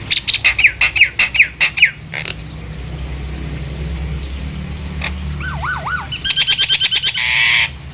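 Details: Nias hill myna song used to coax other hill mynas into singing: a rapid series of about a dozen sharp, clipped notes, a pause, then looping wavering whistles, a fast chattering rattle and a buzzy final note.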